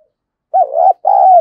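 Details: Spotted dove coo used as a fight-provoking lure for decoy birds: one strong phrase of a wavering low note, a short break, then a long, even, rolling coo that slowly drops at the end.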